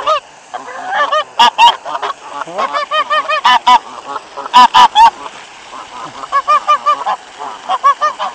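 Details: Flock of geese honking loudly and continuously beside a waterfall on a cold 26 February 2013, excited over bread; dense overlapping nasal honks, some very harsh and strong, crowding the whole stretch.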